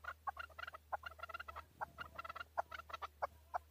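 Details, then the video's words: Male chukar, Tajikistan, 2020: dense, overlapping chattering clucks at moderate distance, irregular bursts of short notes with a low background hum. "Нар Кабки Шикори (Садои кабки Шикори) 2020. Каменная Куропатка (Кеклик) в Таджикистане 2020. KEKLIK"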